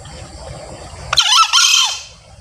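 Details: Crow of a male green junglefowl: a sudden hoarse burst splitting into two harsh, slurred parts lasting under a second, the second dipping at its end, with a faint insect drone before and after; played to call wild junglefowl when hunting.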